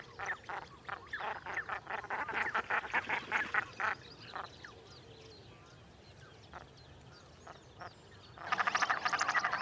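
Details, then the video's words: Common Shelduck (Tadorna tadorna) recorded in the wild gives harsh, nasal quacking notes, about two or three a second, tailing off, then a fast, rattling burst of higher calls. "Common Shelduck Sound – Song & Bird Calls"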